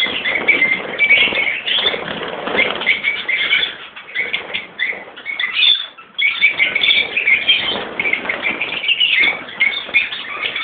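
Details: Lovebird colony of Peach-faced and Fischer's birds, parents with young: busy high-pitched squealing and chattering from many birds, a short lull near the middle, then the noisy chorus resumes.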